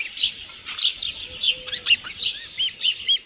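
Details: On 27 June 2018 around 12:48 PM, an osprey holding a headless fish at the nest utters irregular high whistled chirps, short and slightly arched, over a low background hiss.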